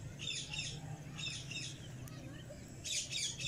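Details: Pet cockatiel parrot giving harsh, raspy squawks in short bursts, one pair early on and another burst near the end, separated by a quieter gap, over a low steady hum.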